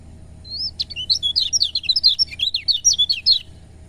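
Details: Song of a lemon-bellied white-eye, played to get reluctant birds singing: quick, high warbling phrase of slurred whistles and sharp chirps, steady and busy for about three seconds over a faint background hum.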